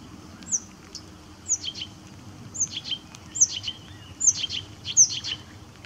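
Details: Blyth's reed warbler singing at RSPB Middleton Lakes on 18 June 2021: high, sharp phrases around 4-8k, each a whistled downslur followed by short buzzy notes, repeated about once a second, with a faint low background rumble.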